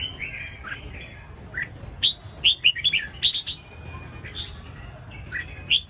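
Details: Red-whiskered bulbul voice, played to encourage other bulbuls to sing; soft slurred notes give way to a rapid run of loud, clear whistled syllables mid-clip, then quieter chirps and a final sharp note.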